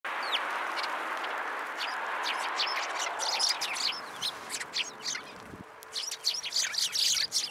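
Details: Many sparrows gathering at a Tenmangu shrine to be fed, 10 January 2023: short bright chirps and tweets, scattered at first, then packed into overlapping bursts in the second half over a steady background hiss.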